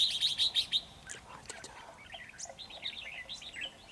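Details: Red-whiskered bulbul (chào mào) singing as a decoy bird in a trap. A bright run of high chirps opens, then scattered faint notes, then a tumbling series of quick, warbled chirps.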